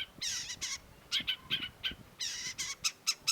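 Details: Long-tailed shrike song alternating harsh rasping bursts with clipped chirping notes, loose rhythm, several phrases within a few seconds over a quiet background.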